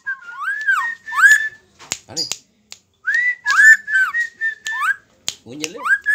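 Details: Helmeted friarbird of the Lombok type, held in the hand and singing eagerly: loud, rich, slurred notes sweeping up and down with strong harmonics, broken by sharp clicks and harsh buzzy bursts, in a small room.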